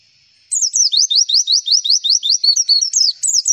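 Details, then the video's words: Javan white-eye song used as a lure to draw other white-eyes into answering: after brief silence, a rapid run of high, sliding whistled notes, each rising sharply, repeated about two and a half times per second, ending in slurred twittering. "MASTERAN AMPUH PLECI, Klik sekali semua pleci pasti nyaut"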